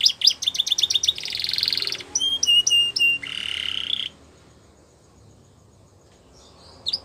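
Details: Gloster canary singing a training song: rapid repeated chirps, a buzzy trill, sweeping whistled notes and another dense buzzy phrase in the first four seconds, then near silence with faint chirps at the end.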